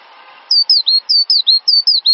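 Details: Cinereous tit master song for songbird training: after a brief hiss, crisp high whistled notes falling in pitch come in a quick, even sequence of about eight phrases.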